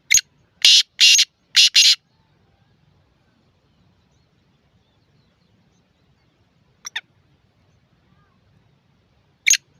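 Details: Black francolin (kala teetar) calling: a burst of four or five harsh, grating broadband notes in the first two seconds, then a long quiet gap broken by two short rasping notes late on.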